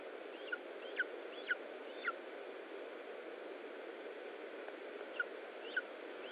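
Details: Lesser spotted eagle at an Estonian nest while feeding, 20 July 2012, 15:45: four quick piping notes, a pause, then two more, each brief and down-slurred, over constant background hiss.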